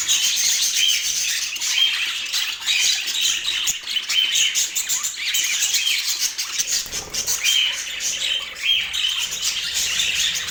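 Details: Pet budgerigars in Portland keep up a dense warbling chatter, short clear whistles recurring every second or two above a scratchy, busy background.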